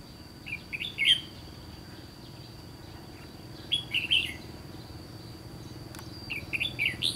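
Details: Red-whiskered bulbul singing during trapping by the Gulf of Tonkin: three spaced bursts of rich warbled notes, with a faint steady high tone and a single sharp click.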